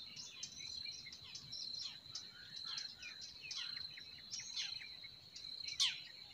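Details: Forest birds sing in spring: lively bursts of high twitters and sweeping whistled notes, ending with one loud sharp chirp, over a persistent high buzzing tone.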